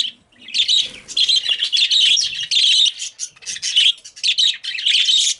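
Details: Pet female budgies loudly calling because they see a male bird: rapid, grating chirps and squawks run together in near-continuous bursts, broken by brief gaps, high and noisy throughout.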